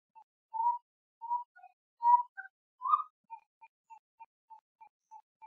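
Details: Brazilian gray-necked wood rail (sericoia): a few fuller whistled notes, then a trailing run of short, soft, evenly spaced pips, getting quieter.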